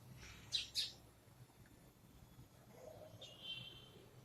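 A sparrow gives two quick, sharp chirps close together, then a thinner, drawn-out high note after a pause, over a quiet low background hum.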